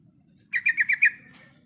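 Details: Female sooty-headed bulbul in breeding condition calling to the male: a quick run of five evenly spaced, slightly buzzy notes at a steady mid pitch over about half a second, then a fading tail, with a low steady hum underneath.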